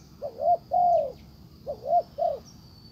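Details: A spotted dove kept as a decoy coos at a wild bird; a brief low phrase of a rising double note, one long sliding coo, then two more short coos, with a faint high drone throughout.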